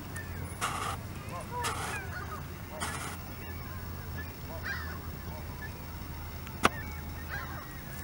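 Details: Canada geese calling at Hawreluk Park Lake, with three loud, harsh honks roughly every 1.1 seconds, then fainter distant honking, a sharp click and a constant low hum underneath.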